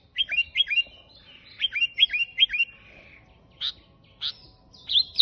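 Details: Kutilang, or sooty-headed bulbul, in energetic gacor song. Series of quick, falling, liquid whistles come in groups of three, followed by loud, sharp chips and a final squeaky note.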